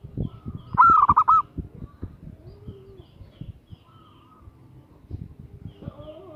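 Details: Female zebra dove calling to lure a male: one loud, quick burst of several mellow rolling coo notes, followed by scattered low clicks and knocks in the background.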